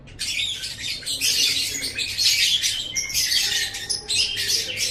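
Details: Lovebird song for training kept birds: a steady torrent of harsh twittering chatter with a few thin whistled notes threaded through, high and scratchy, roughly one surge per second.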